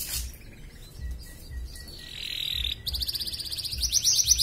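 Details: Caged canary singing in an online singing competition, from Pontianak, West Kalimantan. A quiet thin whistle and a sustained tone lead into a fast, bright rolling trill of rapidly repeated high notes.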